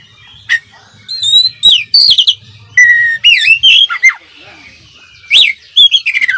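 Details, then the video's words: Full fill-in song from a lively oriental magpie-robin meant as training material: scattered high chips and whistles, clear level notes, and looping rising-then-falling slurs in short bursts, over a faint low hum. "suara masteran kacer gacor full isian calon juara"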